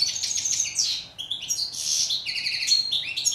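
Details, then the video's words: Steyla, the European goldfinch of Morocco, delivers a lively jumble of high chirps, buzzy slurs and tinkling trills, with a brief dip in the middle before the twittering picks up again. "Song of bird goldfinch"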